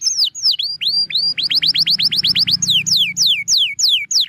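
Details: Canary song used as master song for training birds: loud high tours of descending and rising whistled sweeps, a fast run of repeated upward notes about four per second, then falling slurred notes; faint low hum beneath.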